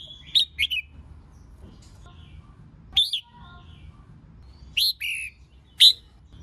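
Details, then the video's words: Female red-whiskered bulbul giving a lure song meant to make males sing. Widely spaced, short whistled phrases of one or two notes, some sliding downward, separated by quiet gaps of one to two seconds. "Kích Chào Mào Hót Ché [ MÁI KÍCH TRỐNG ]Kích chào mào hót đấu."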